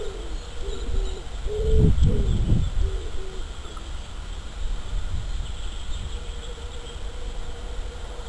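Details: Wild common wood pigeon cooing in spring, March: a run of low, soft hooted notes in a rhythmic phrase, a longer note in the middle, then a drawn-out coo later, with steady low wind rumble behind.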